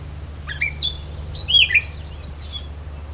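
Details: Gray Catbird singing in Beverly Swamp, Flamborough, Ontario, at the 2024 summer solstice, a shrub-hiding bird that also gives chup calls: a halting jumble of squeaky, slurred and whistled phrases, about one per second, over a low hum.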